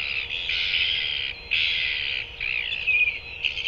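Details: Two male royal albatrosses, LGK and LGL, in New Zealand on 5 January 2024, trade harsh, raspy braying calls in bursts of about a second, one after another, with a brief squeal near the end.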